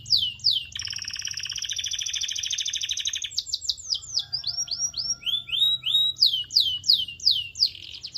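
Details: Canary song to encourage other canaries to sing: short falling whistles, a long two-layered buzzing trill, then varied repeated rising and falling chirps and whistles.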